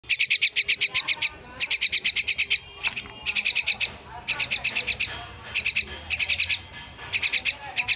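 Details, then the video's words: Pet myna giving rapid bursts of harsh, clipped chattering notes, each burst holding roughly six to twelve quick pulses, separated by short pauses, with a couple of single sharp notes between bursts. "পোষা শালিক পাখি"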